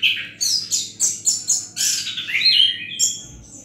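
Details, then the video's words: Orange-headed thrush in easy, relaxed song, posed in the 'Menatap Langit' style; starts with a rapid series of sharp, bright repeated notes, about four per second, then melts into a sweet descending whistled warble over a low hum. "Anis Kembang bunyi santai dengan gaya penampilan "MENATAP LANGIT"."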